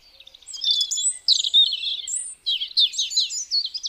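A European robin sings high, liquid phrases of thin whistles and quick trills, each tumbling into the next after brief pauses; nothing else is heard.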